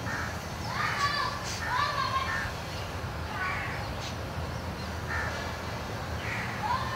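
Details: Noisy begging from two young Jungle Babblers on the ground beneath their nest among dry bamboo leaves: grating, slurred calls that bend up and down, given in spaced bouts with pauses between, low hum underneath.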